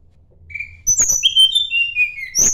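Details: Sunda blue robin singing to find a rival: a soft whistled note, snapping clicks, then a long, high whistle gliding down in small steps, with a final click burst.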